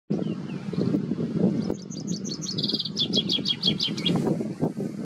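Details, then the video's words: A common chaffinch sings on 22 April 2023 in Šumava: one bright phrase of about two and a half seconds, quick repeated descending notes speeding up into a flourish, over a steady low rumble of wind or traffic. "Pěnkava obecná (Fringilla coelebs) - zpěv"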